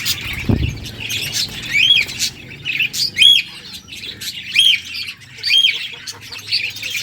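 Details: A happy budgerigar sings among others, mixing rasping squawks with repeated clear arched whistles roughly every second; a low thump sounds near the start.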